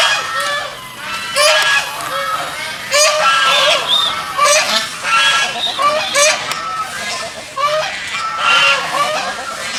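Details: Several geese swimming on a pond honk loudly and harshly, with overlapping bursts of nasal calls every second or so and a steady background murmur.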